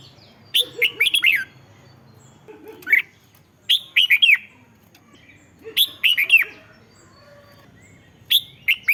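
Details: Bright repeated phrases of a red-whiskered bulbul, played to excite caged birds; short groups of quick, downward-slurred whistles recur every one to two seconds, with soft lower chattering notes underneath at times.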